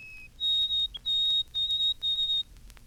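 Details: A White-throated Sparrow sings its 'Poor Sam, Peabody, Peabody' whistle, recorded by Cornell ornithologists in 1954. The clip opens with the tail of a lower note, then gives pure, high whistles in a long-short-short pattern, with faint background hiss.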